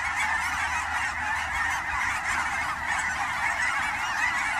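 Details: Canada geese in a large flock during fall migration at Fern Hill Wildlife area near Forest Grove, Oregon, among the Willamette valley ponds: a dense, unbroken chorus of overlapping nasal honks from many birds, steady and loud throughout.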